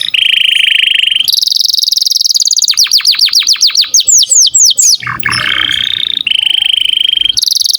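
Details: Canary singing strongly, used as a master recording for songbirds to copy: long buzzy rolling trills at differing pitches, broken by a quick run of downward sweeps and a brief harsh low note.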